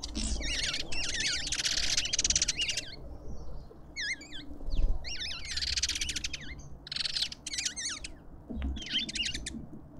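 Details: Lovebirds calling at a South African garden feeder in suburban Pretoria. Sharp, wavy high squeaks come in clusters with broad harsh screeches, pausing briefly between bouts, over a faint low hum.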